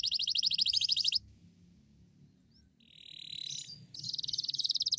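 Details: 'Gacor' canary delivering a 'cuit cuit nembak' song to spur other canaries to sing: a bright rapid buzzy trill, a lull with a softer mid-pitched warble, then another long fast high trill.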